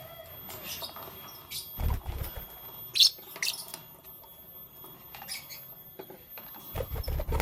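Lovebirds give sharp, shrill, high chirps, scattered singly every second or so, with a few low thumps and bumps between them.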